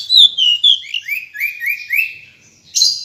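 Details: A female Decu gives clear whistled notes, a series of short rising slurs strung closely together, ending with a harsher burst of sound.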